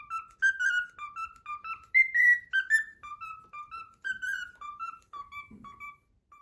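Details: Cockatiel kept as a pet whistling the Pythagora Switch opening theme, a steady run of short clear whistled notes rising and falling in a bouncy melody, about three per second, with a faint rustle near the end.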